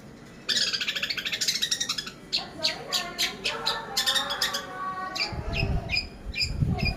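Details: Cendet, a long-tailed shrike, used as a lure to prompt singing: a dense run of rapid, scratchy, varied chattering notes, then sharper rising chirps with low rumbling thuds near the end.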